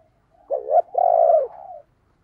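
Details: Decoy spotted dove kept to draw wild doves into calling. A single deep, mellow coo: a short dipping double note, then a long sustained falling note that fades into a soft tail.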